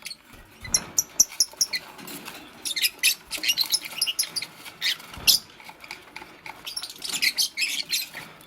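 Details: Green and pastel Fischer's lovebirds making a nest in the morning: rapid bursts of high, squeaky chirps, often several per second, coming in busy runs with brief pauses and a soft background hiss.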